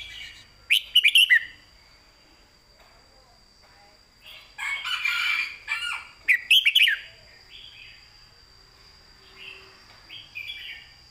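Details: Caged red-whiskered bulbul singing a clear southern-style master song used to teach other caged birds: bright warbled phrases of rapid rising and falling notes in short bursts, separated by pauses of a second or more, with a steady faint high tone behind.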